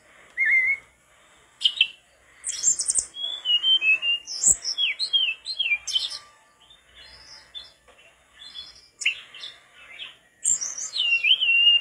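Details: Mangrove blue flycatcher in full, energetic song, offered as tutor material for other flycatchers: a long run of short whistled phrases, some sliding up and down, mixed with sharp high chips and pauses, in a quiet background.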